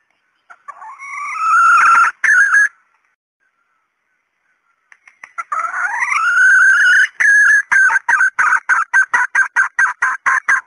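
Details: Female red junglefowl calling to attract males: a long rising nasal cackle, a pause, another rising drawn note, then a fast train of short clucks repeated steadily to the end.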